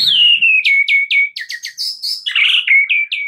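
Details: Loud, clear white-rumped shama lure song for prompting a full repertoire: a run of downward-slurred whistled notes repeated roughly every quarter second, a high buzzy burst in the middle, then more evenly spaced slurred whistles.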